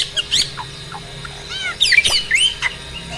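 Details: Mature male Asian pied starling in peak breeding condition, singing energetically while pumping its body, a sign it is ready to mate; scattered whistles give way to a burst of harsh squawks and rising, curling notes.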